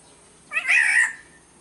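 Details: A single black-naped oriole (kepodang) call from Sumbawa, in a lure recording: a nasal, wheezy, meow-like rasp lasting about half a second, slightly falling at its end.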